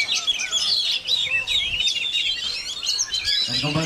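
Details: Oriental magpie-robin singing while battered by strong wind: a rapid, varied stream of high chirps, twitters and whistled phrases, with a human voice breaking in at the very end.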